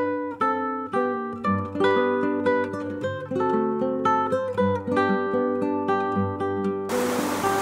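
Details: Acoustic guitar plucked and strummed in a lively pattern, ending in a sudden burst of noise; no animal calls.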